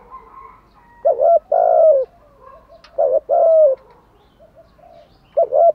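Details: Spotted dove (cu gáy) cooing in the kích bổi style: loud low hooting phrases, each a quick double note followed by a longer drawn-out coo, repeated about every two seconds over faint background hiss.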